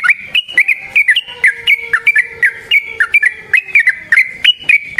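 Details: Sooty-headed bulbul singing a continuous fighting chatter used as a lure for trapping: crisp, slurred notes delivered rapidly and evenly, with a faint lower tone underneath.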